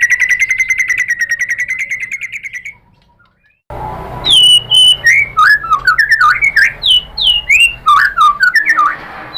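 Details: White-rumped shama used as a lure to provoke rivals: a fast even trill that fades out, a short silence, then loud varied whistled phrases with swooping, zigzag notes.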